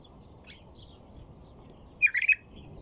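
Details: Quiet stretch with faint high notes, then a white-eared bulbul bursts into a short, rollicking phrase of four quick warbled notes.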